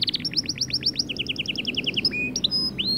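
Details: Male white canary in motivational song: quick bursts of hooked chirps, a lower rolling run of notes, then a few spaced upward-hooked whistles over background noise.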